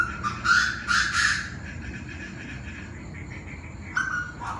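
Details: Evening calling of Chinese francolins, several birds at about 7 pm: a burst of three rasping, harsh notes early on, a pause, then two fainter call notes near the end, with a steady low rumble behind.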